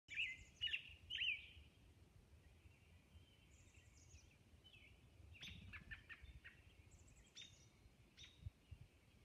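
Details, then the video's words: Robin singing at dawn on Orcas Island: a few clear, warbled caroling phrases in the first second and a half, then softer, scattered chirps and high thin notes over a low background rumble. "Dawn Robin Song"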